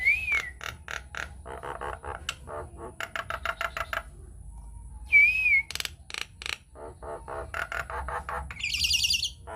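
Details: Lure song of a Nias hill myna for triggering singing in other birds. Wavering whistles open and recur midway, separated by dense bursts of clicks and chattering notes, and a high squeaky flourish closes the sequence.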